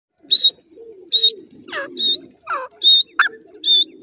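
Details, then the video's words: Grey francolin (dakhni teetar) with its chicks: thin, high peeps at a steady pitch repeat roughly every 0.7 seconds, broken by a few quick downward-sweeping notes, over a soft, low murmuring background. "dakhni teetar and chicks ki voice,partridge bird and chicks together sound"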